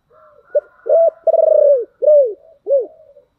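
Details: Spotted dove giving a heavy 'thổ đặc' voice, used to draw quick answers from wild doves; a clipped note, then a full phrase of a purring rolled coo and two descending hoots, clean and low.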